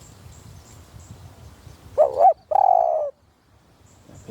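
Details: Deep-voiced Spotted Dove giving a single one-kuk call: a short wavering coo followed by one longer, level, hollow coo, then quiet with faint background hiss.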